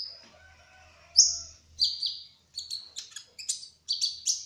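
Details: 'Trotol' kolibri ninja hummingbird: a quiet thin whistle, then loud, sharp high slurred notes and clustered twittering chirps coming in quick pairs and triplets.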